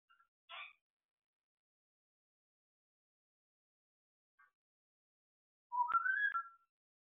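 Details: A pet African grey parrot rehearsing whistling "Bella ciao": a brief raspy note, then after a pause a clear whistled phrase that rises and wavers.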